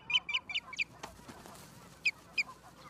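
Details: Osprey at the nest in Charlo, Montana, filmed by a live cam on the afternoon of 11 September 2023: quick run of five sharp whistled chirps, a soft thump, then two more spaced chirps.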